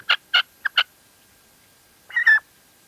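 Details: Female red-legged partridge calling in La Mancha: four short, harsh clucks in quick succession, a pause of over a second, then a longer, strained, rising call.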